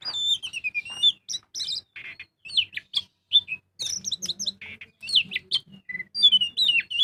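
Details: Magpie-robin (kacer) in full, energetic song used as a lure to make other birds sing: varied whistled phrases, slurred descending notes and sharp chips, mostly high-pitched, in quick bursts separated by brief pauses, with a faint low hum beneath.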